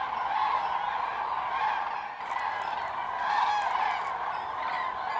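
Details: Autumn roost gathering of common cranes at the Milicz Ponds, Poland, September 2023: a steady, dense chorus of overlapping trumpeting calls that swells slightly in places.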